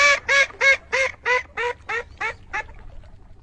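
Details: Duck quacking in a run of nine loud, nasal, evenly spaced quacks, about three per second, each fading slightly toward the end before falling silent.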